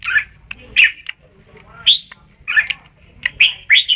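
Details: Red-whiskered bulbul giving lively chattering phrases of warbled, slightly squawky notes in irregular bursts, some run together at the end.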